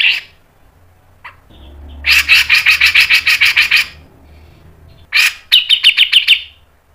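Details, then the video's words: Grey-cheeked bulbul, its fast, sharp training song: a run of about eleven loud, buzzy chirps at speed, a pause, then a harsh note and seven quicker, brighter chirps. "MASTERAN CUCAK JENGGOT MBESET NGEPIK NEMBAK PANJANG SPEED RAPAT"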